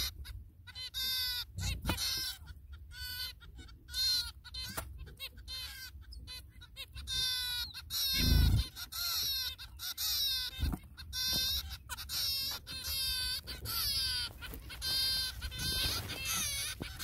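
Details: Zebra finch chicks being fed by their parents; rapid, insistent, buzzy harmonic calls repeat in quick runs, broken by occasional short pauses and a couple of dull knocks.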